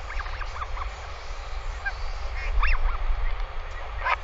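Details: Northern royal albatross on a nest cam on 20 May 2020, with the adult OGK back and staying overnight with the chick: short, nasal honking notes in scattered bursts, some rising and falling, over heavy constant wind rumble.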